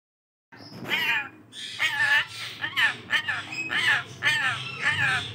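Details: A rainbow lorikeet mimics the word "Allah" in raspy, hoarse bursts, about six in five seconds, with a low background hum.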